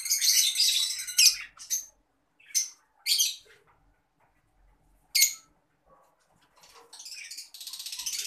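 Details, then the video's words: Adult green Fischer's lovebird kept indoors; loud, harsh, high-pitched shrieking chirps in irregular bursts separated by silent pauses, with a longer chattering run toward the end. "Lovebird sounds"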